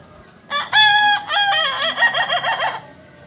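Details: Original kukuak balenggek rooster from Solok, West Sumatra, crowing: a loud, rich crow of about two seconds, a steady first part, then a wavering, stepped series of syllables.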